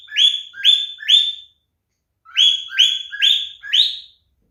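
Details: Male cockatiel in mating display repeating upward-sliding calls, three in a row, a gap of under a second, then four more, the last rising highest.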